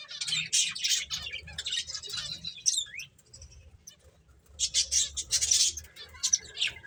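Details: Several finches at play chatter in rapid, high-pitched chirps, busy at first, then quieter for a couple of seconds before a loud burst of twittering near the end.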